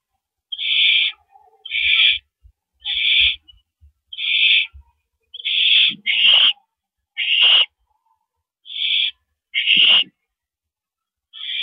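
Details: On April 13 2012 at 9:17 PM, during a mouse delivery, an owl gives short, clipped hissing screeches about once a second, with faint low knocks between the early calls.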